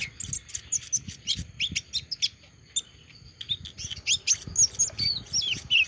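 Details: Olive-backed sunbird, freshly through its moult, still singing: high twittering chirps mixed with quick whistled slurs, a brief lull midway, then a livelier run of bright, piercing notes.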